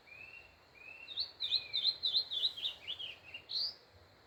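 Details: Saltator (locally called pixarro) singing on a farm on a cold, sunny early morning: two drawn-out mid-pitched whistles, then a quick run of bright, warbling rising-and-falling notes over faint low rumble.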